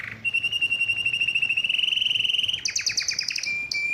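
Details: Excited male canary singing, wanting to mate; a fast even trill of high notes repeated many times a second, rising slightly, then a switch to louder sweeping chirps, over a low steady hum.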